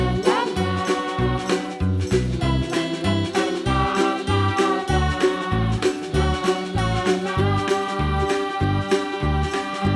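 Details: Upbeat music with a steady beat, chiming bells and melody plays throughout, with no animal voice heard.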